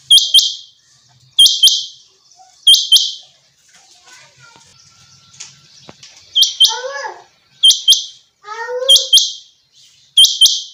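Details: Clipped, high-pitched triple notes from a common quail in a summer meadow, repeated about every 1.3 seconds, while another caller gives short descending, chirping notes in between.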